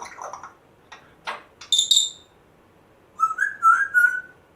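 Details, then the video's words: Rescued African grey parrot, one month after rescue, indoors, makes odd clicks and squeaks, then a clear rising-and-falling whistle near the end. Owners believe it mimics a chihuahua, a squeaky door and a man hocking from its previous home. "African Grey parrot talking, funny weird sounds"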